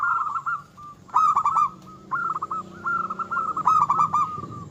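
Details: Local Indonesian zebra dove singing vigorously, a song meant to rile rival birds and raise their urge to breed: soft, rolling coos with quick stuttered notes in two main bursts, separated by quieter trailing coos.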